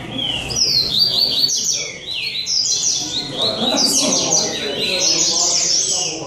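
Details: Competing rusty-collared seedeaters at a São Vicente singing tournament deliver sweet, rapid whistled phrases with sliding notes and trilled flourishes, several birds overlapping almost without pause, human voices faint.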